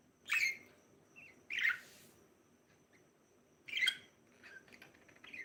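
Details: Chirping from a breeding pair of budgies, with loud, harsh chirps roughly every one and a half seconds and small twittering notes in between, over a faint background hum.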